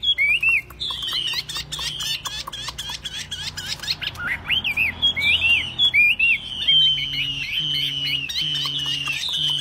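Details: Tame caged Chinese hwamei that sings when set on a table or carried by hand, giving a varied run of loud clear whistled phrases, slurred up and down and delivered in quick bursts, with a low hum and faint tapping underneath.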